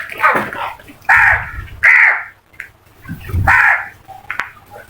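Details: Crows from a flock giving loud, harsh caws, several drawn-out calls about half a second to a second long with pauses between, plus a low rumbling sound in the background.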